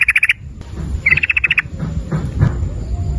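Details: Sooty-headed bulbul, a lure recording for prompting song: two quick bursts of sharp, evenly pulsed notes, then low background noise.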